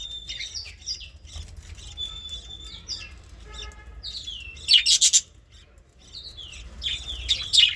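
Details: Baby budgerigars, called bajri birds, chattering in a steady warble of quick whistled notes that slide up and down, broken by louder harsh, buzzy bursts near the five- and seven-second marks, over a low background rumble.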